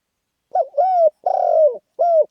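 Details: Lively khan yon style coo from a spotted dove: a short note slurring into a drawn-out whistled coo, a long trembling coo sinking in pitch, then a brief final coo.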